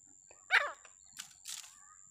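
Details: Wild grey francolin giving a single loud, harsh call note with a falling, layered tone, followed by softer rasping sounds, over a steady high electronic whine.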